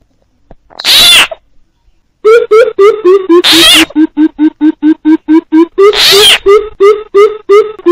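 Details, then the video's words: Coucal lure call with frog calls added for trapping: a loud frog croak, a pause, then a rapid chain of low, hollow hoots interrupted twice by rasping frog calls. "TIẾNG BÌM BỊP KÈM TIẾNG NHÁI KÊU"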